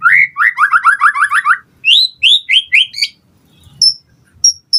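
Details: White-rumped shama singing to make other birds respond and to tutor them: a quick run of about ten repeated chirped notes, then louder rising whistles and a few thin high pips.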